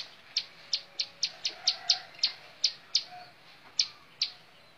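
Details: Bar-winged prinia, locally called ciblek sawah, singing a series of sharp high chips, about a dozen in under five seconds, spaced irregularly with short gaps; faint low hum underneath.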